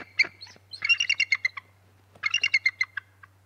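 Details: Nest webcam recording of bald eagles at Decorah North around 6 am CST, 6 March 2018, calling at shift change as the male approaches and the female drops to a lower branch; two long runs of shrill, stuttering chirps, with a faint hum.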